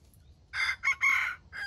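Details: Junglefowl used as bait for trapping wild chickens gives a short, harsh, broken crow in three or four rough syllables, the middle one longest, after a brief quiet start.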